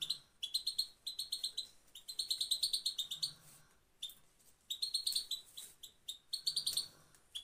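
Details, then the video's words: European goldfinch song used to motivate male birds, from Afghanistan: rapid bursts of bright, tinkling twittering notes in dense trills, broken by short pauses, with a faint low hum beneath. "motivation for male پت پت مادی برای مست"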